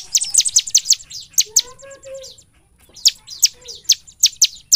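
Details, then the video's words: Ciblek, or bar-winged prinia, in the gacor nembak style meant as a lure song: bursts of rapid, very high, dry chattering notes broken by a few lower, clear whistled slurs in the middle. "Suara ciblek gacor nembak paling efektif buat pancingan ciblek agar bunyi siang dan malam"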